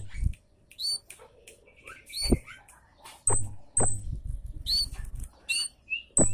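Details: Loud Javan munia 'citt' calls used as a lure: bright, downslurred chirps in uneven series, punctuated by low thuds and knocking sounds.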